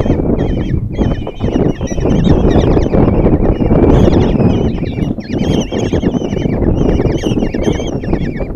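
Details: Common kestrel nestlings, five in a Hungarian nest box at Tiszalök, being fed breakfast by their mother on June 26, 2024: rapid quavering high squeals repeated about four times a second, overlapping continuously over heavy low rumble.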